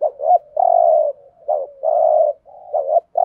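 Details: Rapid 'thúc gù' coos of a spotted dove in the 'Thổ' style, a call used to lure birds for trapping; low, hollow hooting notes, quick clipped coos alternating with longer held ones, closely spaced.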